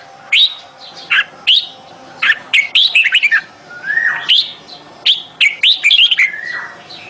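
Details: Bulbul calling for a mate, 28 May 2021: sharp chirps and liquid slurred whistles in irregular bursts, one longer falling note midway, separated by short gaps over a faint steady hum.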